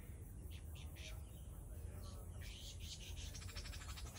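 A lyrebird mimics other sounds: a few short whistled notes, then a fast, even run of clicking pulses. Deep rumbling noise runs underneath.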